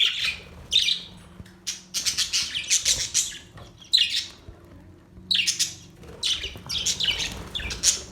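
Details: Budgerigars chirp in loud clusters of high, grating warbles separated by short quiet gaps, with a faint low steady hum underneath.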